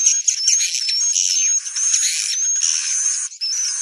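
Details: Swiftlet chorus played to attract the birds to roost in a building: steady high buzzy twittering beneath a thin wavering whistle, with a short dip in the sound near the end.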